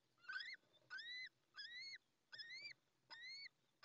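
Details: Newly hatched little owl chick, still wet minutes after hatching, alone in the nest after the female leaves, at La Moraña, Ávila, Spain, dawn 20 May 2024; five loud harmonic rising peeps, about one every 0.7 seconds, ceaseless.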